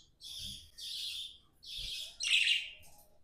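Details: Tame pet budgerigars singing: four short bursts of scratchy, chattering warble, each under a second, the last one louder with bright squeaky notes, in a quiet room.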